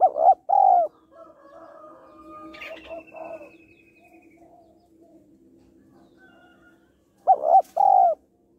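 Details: Spotted dove, a female calling to stimulate males: one loud two-note coo opening and another near the end, separated by softer, lower cooing and a brief high trill.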